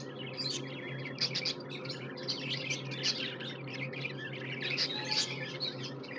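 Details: Tamed pet budgerigars keep up busy, overlapping twittering chirps and sharp clicking notes, with a steady low hum running underneath throughout.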